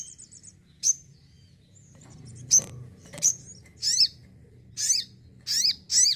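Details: Sogon (crimson sunbird) kept at home sings: a brief high trill, then isolated sharp chips building into repeated slurred, wavering high notes toward the end.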